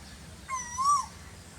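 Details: One Asian koel note in the very hot season: a pure whistle that rises gently, peaks, then drops off briefly. The background is otherwise quiet.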